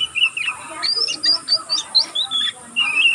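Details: Short stretch of young oriental magpie-robin practice twittering: thin high whistled notes, flat and slightly rising, repeated roughly once a second, with a quieter chatter between.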